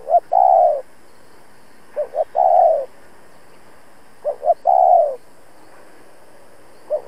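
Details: A decoy spotted dove challenges rival wild doves with a repeated three-part phrase: two brief, low pips followed by a long, rounded, slightly falling coo. The phrase recurs about every two seconds, clear and close.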